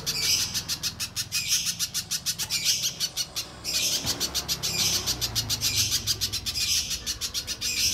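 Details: Lure sound of a spiderhunter meant to trigger singing in untrained birds: quick repeated high, sharp chips punctuated by louder whistled accents about once a second, a short pause midway.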